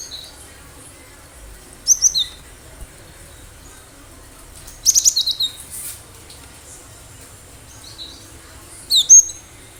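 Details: Wild cinereous tit singing actively, a recording meant for luring other birds; three well-spaced bursts of high, sharp chirps and brief whistles, the middle one a rapid twittering series, with a soft flutter-like rustle.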